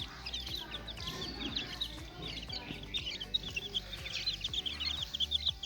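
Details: Playing chicks chirp in quick, high, scattered peeps that thicken toward the end, while music plays underneath with a steady beat.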